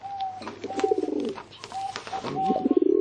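Pigeon giving low, throaty cooing bursts that rise and swell, with a thin steady whistle-like tone in the background.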